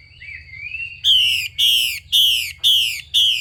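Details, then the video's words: Female Chinese hwamei rasping to stimulate male song: a faint, thin whistle, then five loud, buzzy, hissing bursts, each about half a second long, repeated in close succession. "Tiếng chim mi mái xùy kích trống Thúc bổi nhanh lên lửa hót căng"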